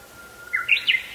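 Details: Japanese bush warbler singing on a rainy evening in the rainy season, 1 July 2021. A long, steady whistled note runs into a quick, bright burst of higher, rising-and-falling notes.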